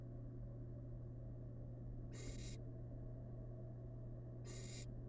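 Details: Wild barn owl chick in a nest box, eating rabbit leftovers, gives two harsh, noisy hisses about two and a half seconds apart, with a steady low hum in the background.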